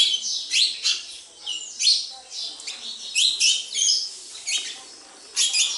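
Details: Sparrows chirping around a house, separate loud cheeps spaced roughly every half second to a second, some doubled, against a quiet background.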